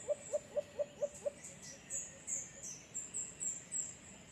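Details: White-eared brown dove from San Pablo City, Laguna: a run of six short, low hooting notes evenly spaced about a quarter second apart, then softer trailing notes, with high chirps and insect-like hiss from other birds behind.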